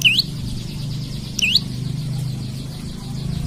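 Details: Olive-backed tailorbird singing eagerly for a rival, kept as lure and tutor for other birds: two rising, slurred whistles about a second and a half apart over a loud continuous low hum.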